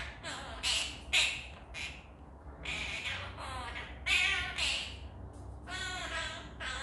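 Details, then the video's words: Pet blue Quaker parrot, kept as a talking and singing companion bird, giving a string of harsh, bright squawking bursts with rough harmonic bands, about a dozen short notes spaced irregularly over several seconds, with a low room hum beneath. "Singing Quaker Parrot"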